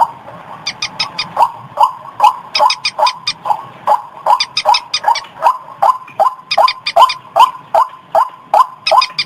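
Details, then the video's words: Calls of the white-breasted waterhen, used as a lure: evenly spaced, upward-flicking croaks repeat about two and a half times per second. High, rattling click bursts sit between them. "suara pikat burung ruak-ruak"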